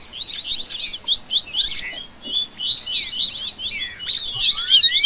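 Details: Dense 'baderna' of seedeater song used by bird keepers to excite a coleiro: many quick high chirps and slurred twitters overlap in a busy, nearly unbroken stream, ending with a long rising whistle.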